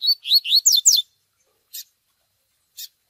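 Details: Double-collared seedeater in the Tui Tui Zel Zel style used for training males: a loud, fast series of rising whistled slurs, then two sharp chick begging chips about a second apart.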